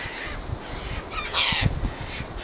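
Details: A single loud, coarse screech from a Sulphur-crested cockatoo (Cacatua galerita) in a squabbling flock that gathers at this place, rising out of low background noise and fainter calls.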